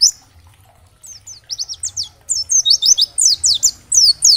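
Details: An oriental white-eye, its song used to prompt other white-eyes to respond: begins quietly with a few thin high notes, then accelerates into a steady stream of quick downslurred whistles repeated several times per second.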